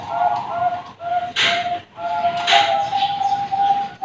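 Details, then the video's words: Young Bangkok-strain zebra doves at a bird farm give short low coo notes separated by gaps, interrupted by two sharp rustling or clattering bursts, then a long sustained coo. "Kumpulan Suara Perkutut Piyik Bangkok Prospek"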